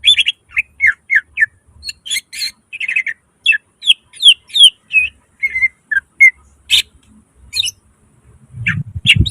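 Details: Greater green leafbird in lively 'gacor' song with mimicry fill-ins, delivering a run of clear downslurred whistles and sharp chirps, some high and squeaky, then a pause before more notes, with a low rumble near the end.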